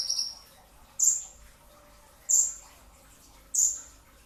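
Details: High, sharp downslurred whistles from a brown-throated sunbird recorded before dawn for training, three piercing notes spaced about a second apart after a brief trill.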